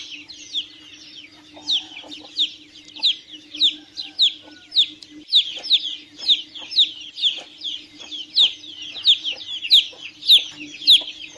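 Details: Chicks peeping: a long run of high, thin, downward-sliding peeps repeated about every half second, some overlapping as if from more than one chick, with a faint steady low hum underneath.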